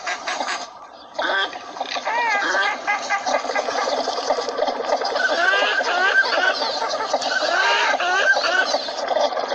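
Northern Shovelers in a busy flock give overlapping nasal, chattering calls with quick rising notes, several times a second. No other sounds stand out.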